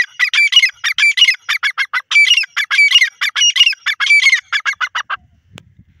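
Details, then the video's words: Grey francolin, known locally as dakhni or irani teetar, calling loudly: a rapid run of harsh, ringing notes that repeat in quick bursts for about five seconds. The calling then stops abruptly, followed by one faint click. "grey francolin bird sound,dakhni teetar awaaz,irani teeter"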